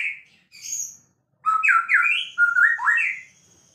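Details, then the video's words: Champion white-rumped shama singing energetically: a short high note and a buzzy burst, a pause, then a loud stream of warbled, zigzagging whistles. "Bird sounds murai gacor juara"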